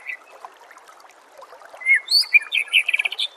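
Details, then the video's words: White-rumped shama master song for training songbirds. Quiet hiss at first, then a loud, fast run of varied whistles, slurred notes and rapid chirps, rising and falling in pitch. "Masteran murai AMPUH"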